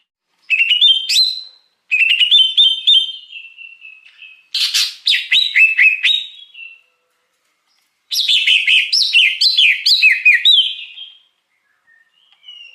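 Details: Greater green leafbird in the wild, recorded for luring birds: four separate phrases of quick whistled and chattering notes separated by silences, the last a long tumbling run of swooping notes.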